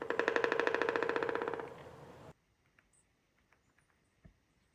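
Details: Pileated woodpecker drumming: a loud, hollow, rapid burst of evenly spaced strikes fading over about two seconds, then near silence with a few faint ticks. This drumming carries for kilometres and is used especially in spring to attract mates.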